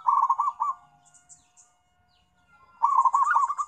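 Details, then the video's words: Zebra dove calling to companions: a quick burst of bubbly, staccato cooing notes, a near-silent pause with a faint hum, then a second rolling burst of soft coos. "PERKUTUT MEMANGGIL TEMAN"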